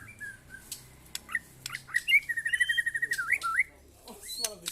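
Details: White-rumped shama singing during a mental test alongside neighbours' birds: scattered whistled notes and sharp clicks, then a fast warbling trill held level for about a second before rising flourishes, with faint low background hum.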